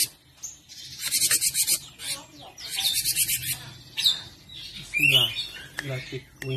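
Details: Cinereous tit chatter for training songbirds: several short harsh buzzy bursts separated by pauses, a sharp whistled note, and squeaky descending notes near the end.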